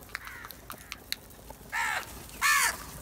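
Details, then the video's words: Black crows in a large group attacking cheese give two loud raspy caws about two-thirds of a second apart after a stretch of faint clicks and distant calls. "Different Crow Sounds | A large Group of black Crows Attack On cheese | Happy Crow Sound"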